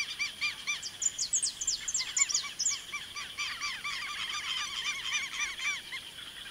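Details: Saffron finch song recorded in the Mato Grosso Pantanal: dense, overlapping high chips and short slurred notes, with several birds apparently calling at once and a constant high hum in the background.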